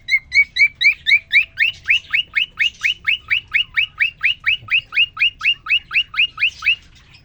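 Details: A male cockatiel sings to a new female in his cage: an unbroken series of about twenty-five quick chirps, starting as flat whistles and turning into sharper down-slurred notes.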